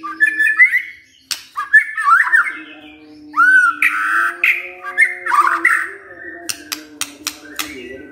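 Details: White-rumped shama singing as a lure for other shamas to answer; fluty whistles and swooping slurs, a few sharp snapping clicks near the end, over a steady low hum.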